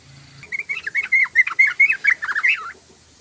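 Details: Yellow-vented bulbul song used to lure other birds: a fast, bubbling run of short warbled notes around the middle pitch, about two seconds long, clear against a quiet background.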